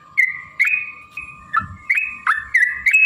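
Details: Yellow-vented bulbul in a rapid singing bout used as a provoking lure: sharp-onset warbled notes, each sliding down then up, spaced roughly every half second, over a quiet low murmur.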